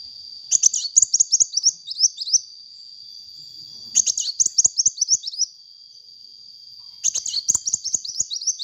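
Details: Sunbird singing actively, played as a lure for training birds: three bursts of rapid, high, metallic twittering, each about a second and a half long and separated by quiet gaps, with a steady high tone underneath.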